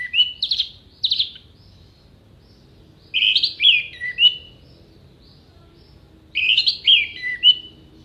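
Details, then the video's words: Orange-headed thrush in full contest-style song, known as gacor with sharp tembakan shots and clear vocals: three bursts of rich warbled, whistled phrases about three seconds apart, each a tumble of quick rising and falling notes over a quiet background. "MASTERAN ANIS MERAH GACOR FULL ISIAN TEMBAKAN TAJAM VOKAL JERNIH DURASI PANJANG ISIAN BURUNG LOMBA"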